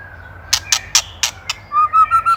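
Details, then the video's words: White-rumped shama (murai batu), Indonesia, in a songbird-training master recording. Five sharp, dry clicks spaced about a fifth of a second apart lead into a run of four clear, steady, low whistled notes. "LANGSUNG EMOSI | KETREKAN PREDATOR | MASTERAN MURAI | SHAMA BIRD INDONESIA"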